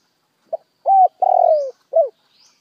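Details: Spotted dove decoy bird singing a lure call meant to stir up wild doves: one cooing phrase of a short note, a held coo, a long rolling coo sliding downward, and a final falling coo. Faint high chirps from other birds.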